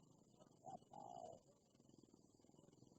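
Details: Fierce wild spotted dove answering a decoy bird during trapping: a short low cooing note, then a longer even coo of about half a second, over steady rumbling background noise.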